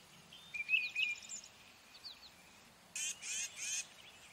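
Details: Tufted titmouse with a few thin whistled notes, then three harsh, buzzy, raspy bursts in quick succession near the end, over steady background hiss.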